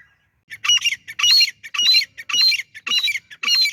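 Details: Francolin (teetar) calling close by: strident, grating bursts with a squealing rising note inside each. They come in a steady series roughly every 0.6 seconds after a short silent start.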